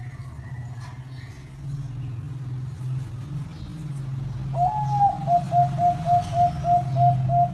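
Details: Zebra dove with competition-quality song: after a few seconds of low engine-like hum, a quick string of short, even cooing notes begins, rolling steadily at a fixed pitch until the end.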